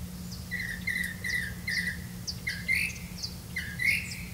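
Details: Grey-capped greenfinch delivering crickets to its young; a rapid series of short buzzy chirps about every third of a second, then two louder rising notes, with constant low hum.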